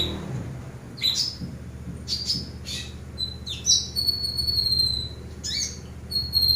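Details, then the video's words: Eurasian tree sparrow song used as a master recording for training birds: scattered high chirps and thin tonal notes in short bursts, separated by pauses over a steady low background hum. "MASTER BURUNG GEREJA"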